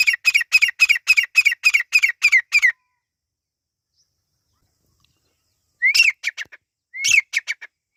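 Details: Partridge chicks, known locally as Irani teetar: a rapid run of about a dozen harsh, rhythmic notes, then silence, then two rising whistles, each trailed by a few clipped notes.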